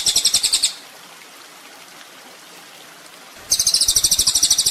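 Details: Kolibri ninja sunbird used as a training master for songbirds: a short burst of shrill, rapidly pulsed trilling, a long quiet pause, then the same fast high trill returns for the last second.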